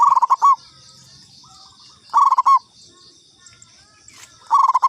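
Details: Lure call from a local zebra dove: loud, close phrases of quick stuttering coos with a closing held note, repeating roughly every two seconds. High insect buzzing and a faint bird note sound between phrases.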